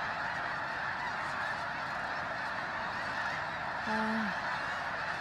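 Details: Pre-dawn fly-in of thousands of snow geese at Bosque del Apache, New Mexico, freezing cold, recorded by phone; massed nasal honking fills the air without pause, and a short low, falling voice sounds near the end.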